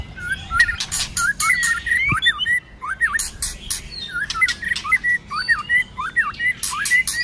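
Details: White-rumped shama, fighting song in many voices during the cold season: repeated looping whistled figures in loud bursts, broken by sharp high rattling notes, with an even, driving rhythm throughout.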